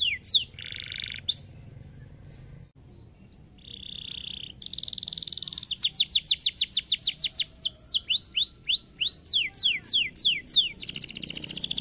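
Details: Canary song meant to stimulate other canaries to sing: a short buzzy rattle, quiet gap, another buzz, then fast runs of high sweeping notes repeated about three per second.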